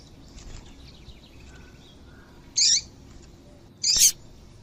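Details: Female double-collared seedeater calls used to start males singing: two sharp, high chirps about one and a half seconds apart after a quiet stretch with faint distant bird notes.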